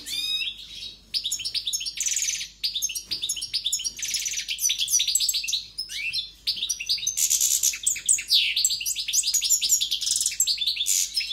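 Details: European goldfinch singing with great force: a continuous, rapid, high twittering stream of varied tinkling notes and buzzy trills, with barely a pause across the whole stretch.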